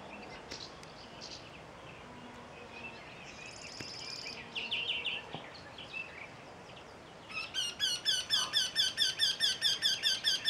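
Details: Eurasian wryneck (Jynx torquilla), call series.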